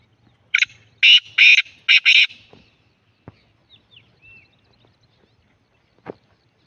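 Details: Black francolin, locally called kalatar, giving its loud call: five harsh, grating bursts delivered in quick succession, followed by scattered faint clicks and near silence.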